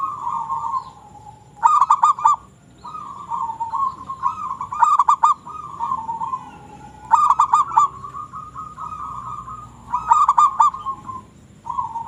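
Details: Continuous calling by a local zebra dove, with a droning mid-pitched tone interrupted about every two to three seconds by short flurries of rapid, ringing notes.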